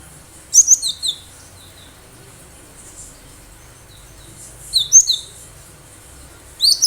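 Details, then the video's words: Cinereous tit from the wild, singing energetically, used to draw other birds into responding; three separate bursts of crisp, high chirping notes trailing into short whistles, separated by several quiet seconds. "Gelatik batu gacor suara asli liaran"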